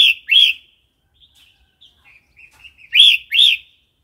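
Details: Red-whiskered bulbul singing wild-style song, used to stimulate new birds, wild-caught adults and teach young: two loud rich whistled notes, quiet warbled fragments, then another bright pair of rising-falling notes.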